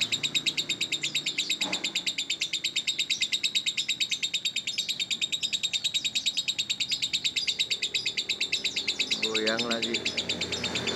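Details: Lovebird chattering steadily, pouring out fast, regular high-pitched pulsed notes like a continuous sizzling trill; a brief human voice breaks in near the end.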